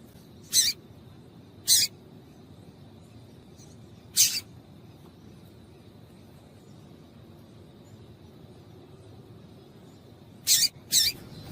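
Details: Calling female yellow-bellied seedeater, used to warm up males: isolated high, dry chips at uneven intervals, a long quiet gap, then a close pair of chips at the end, against soft hiss.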